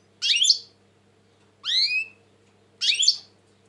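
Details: Agitated European goldfinch, 2020: three separate bright, buzzy phrases, the middle one a set of descending slurred notes, each lasting about half a second, over a low steady hum.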